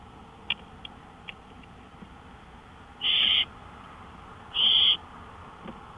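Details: An owl near a porch at 1:53 AM on May 5, 2013 gives two loud hoarse hissing bursts about a second and a half apart, preceded by a few faint clicks.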